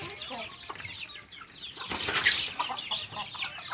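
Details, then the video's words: Chicks (baby chickens) calling while eating: dense overlapping short, high peeps and chirps throughout, with a brief broad rustling or wing-flapping burst midway. "HUNI NG MANOK HABANG KUMAKAIN, CHICKEN SOUND EFFECT"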